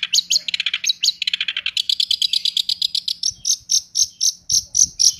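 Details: Long-tailed shrike (cendet) in full rolling 'tembak' song: high rapid notes in quick runs, first dropping in pitch, then a steady series of sharp high chirps repeated about once a second toward the end.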